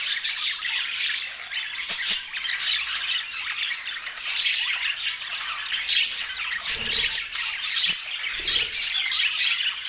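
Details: Budgerigars chirping as they eat their daily healthy food in natural Scandinavian light; dense, scratchy high-pitched warbling and squawks throughout, plus a few low thumps and clicks.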